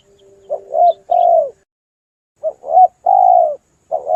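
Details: Hunting lure sound of a spotted dove: irregular phrases of short, wavering coos and longer falling coos, with a faint steady tone at the start and a brief high chirp.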